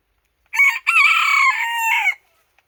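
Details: Crow of a Japanese bantam cock from a household pair of katsura and ginsasa varieties: a clipped first syllable, a pause, then a loud sustained hoarse note sinking slightly in pitch before cutting off; no other sounds.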